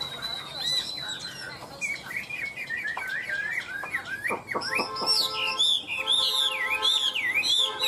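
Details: Chinese hwamei kept by a bird dealer, singing without pause: varied whistles, sharp downward slurs, then rich wavering warbled phrases that swoop up and down, over faint background noise.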